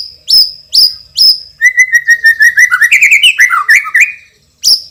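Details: Loud champion white-rumped shama, noted for rich fill phrases: three sharp high rising whistles, then a quick chattering run of short notes shifting in pitch, ending after a pause with another piercing whistle.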